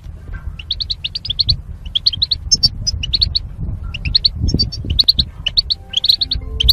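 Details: Caged goldfinch pairs set up for mating, singing as training song: a nearly continuous run of sharp, high chirps and twitters in quick succession, with a low background rumble.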